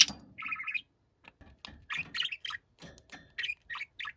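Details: Noisy, angry budgerigar shouting: harsh chattering bursts with a short warbled phrase, then repeated squawky chirps at irregular intervals, each brief and scratchy.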